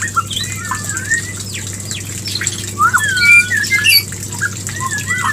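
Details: White-rumped shama calling to bring a female into breeding condition: varied whistled slides, swoops and sharp upward flicks, scattered irregularly, with a louder burst of overlapping phrases near the middle, over a low steady hum.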